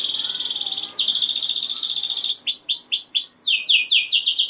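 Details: Canary song for rousing other canaries: a sustained fast high trill, then a louder rolling trill, followed by a few swooping notes and descending buzzy sweeps.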